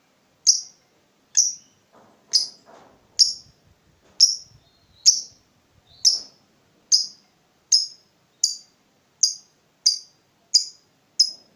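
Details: Lovebird calling to lure and tutor other lovebirds: a steady series of short, piercing high chirps, about one per second, fairly evenly spaced over eleven seconds.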